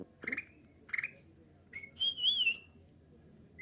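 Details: Kutilang emas bulbul singing to draw replies from other bulbuls: two brief chirps, then a clear warbling whistle that wavers up and down and fades, with a quiet room behind.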